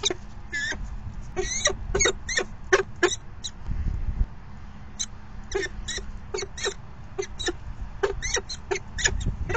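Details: Falcon at the nest during the fifth feeding on 9 May 2020 at 4:40 PM: short, harsh, clipped chips come in quick irregular bursts, each rich in overtones, over a steady low rumble of wind or handling noise.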